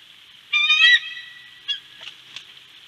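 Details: At Big Bear, a bald eagle utters one loud, squealing, slightly rasping note followed by fainter soft chips, against a steady high hiss.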